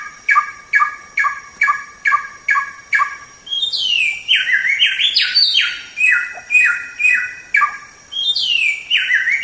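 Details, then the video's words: White-rumped shama (samyong) song for training songbirds: six evenly spaced stacked whistled notes about every half second, then a fast run of loud, sliding, ringing phrases that dip down and leap back up. "Masteran Suara Samyong"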